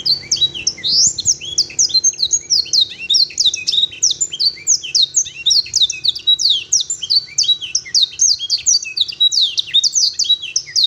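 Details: A canary, tutored with blackthroat and sanger songs, sings a long, continuous run of bright, rapid chirps and trills, with sweeping high notes and varied phrases and no pauses.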